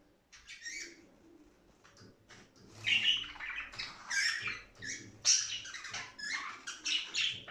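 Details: Budgerigar warble meant to excite other budgies into singing and breeding: quick chirps and buzzy squawks that begin sparse, then crowd together into loud, overlapping chatter.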